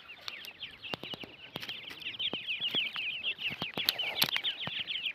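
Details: Francolin chicks (teetar) calling: a dense chorus of high, thin, rapid downward-slurred peeps, overlapping continuously, with sharp clicks and taps scattered throughout.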